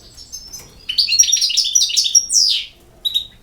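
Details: Short European goldfinch phrase: soft high chirps building into a rapid twittering run, finishing with a strong descending slurred note and one final chirp.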